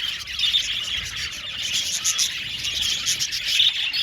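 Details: Budgerigars chattering in an aviary colony, with rapid overlapping tweets and trilled warbles from many birds and a few clearer whistled chirps poking through the steady chorus.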